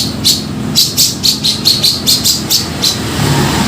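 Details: Grey-cheeked bulbul lure call for trapping: a string of about a dozen harsh, scratchy chattering notes, irregularly spaced at roughly two or three per second, over a low droning hum.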